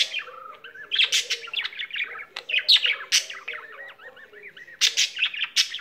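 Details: Chattering warble from a pet budgerigar that keeps on singing: a low descending whistle, then scratchy bursts, looping squeaky notes and clicks, with a brief quieter dip before a final loud flurry.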